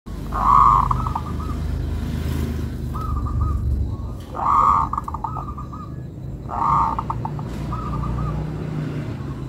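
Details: Local zebra dove with a melodious song: three phrases, each a loud rolling coo followed by a quick run of short, even, stuttering notes, spaced about two seconds apart over low background rumble.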